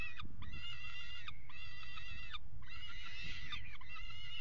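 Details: A mating peregrine falcon pair on a nest box edge, Axel water tower, Netherlands, February 2018. Three long, grating, harmonic wails with falling ends follow one another closely, the last one loudest and most strained, over low rumble.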